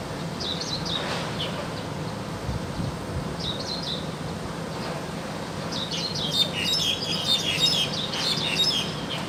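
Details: Wild crested myna in full song: a few separate wavering whistled phrases, then a dense run of fast, squeaky chattering and sharp chirps, over low background rumble.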